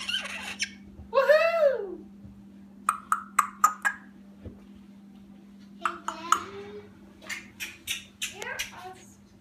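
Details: A 9.5-month-old female Congo African grey parrot (Psittacus erithacus) indoors, mimicking speech in choppy, voice-like syllables, with a rising-and-falling whistled note early on over a steady background hum.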